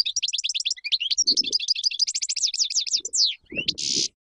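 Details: European goldfinch singing to teach chicks: rapid repeated trilled chirps, then descending slurred notes and a rasping buzz, with soft low knocks in the background.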